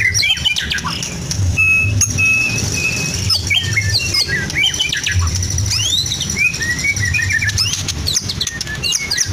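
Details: Caged Medan-type white-rumped shama singing a song stuffed with imitations of lovebird, canary and cililin: scattered whistled upslurs, sharp chips and buzzy notes in quick succession over a steady low rumbling hum.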